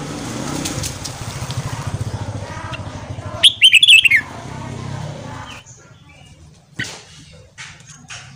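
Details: Morning song of a red-whiskered bulbul, used for training and stimulating newly caught bulbuls: one rapid phrase of bubbly, downward-sliding notes mid-clip, surrounded by rough background noise and a few sharp clicks.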